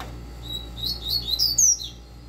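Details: Caged double-collared seedeater delivering the quick tui tui zeu song: a level whistle leads into a rapid string of high, twisting slurred notes peaking near the end, then stopping; low electrical hum throughout.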